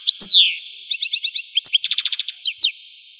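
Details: Algerian European goldfinch song opening with a falling slurred whistle, then fast tinkling chirps and a buzzy rattled run of notes, bright and high.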